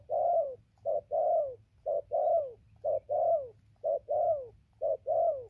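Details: Spotted dove used as a decoy, cooing in a tight regular rhythm, five or six short-long pairs with the second note falling away, near one per second, faint hum in the background.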